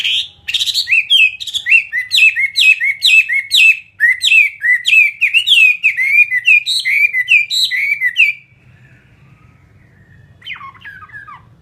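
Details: Chinese hwamei, a captive fighting bird, pouring out a long, fast run of loud, clear, slurred whistles repeated about twice a second for eight seconds. A quiet gap follows, then a few short notes.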